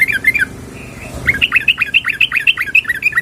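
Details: Sooty-headed bulbul female calling to a male: quick high chattering notes, a brief pause, then a rapid run of about fifteen bright chirps in steady succession.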